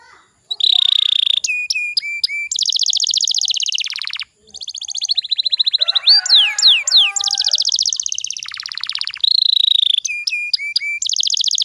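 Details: Canary song played to excite young canaries into song, with fast dense trills, crisp whistled notes, a passage of steep falling sweeps and long buzzy rattles throughout.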